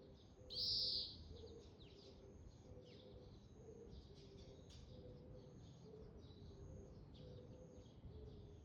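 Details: Oriental greenfinch calling continuously. A loud, short, high buzzy note comes near the start, followed by faint, thin high chirps scattered through the rest, over a soft, low, repeated hooting tone in the background.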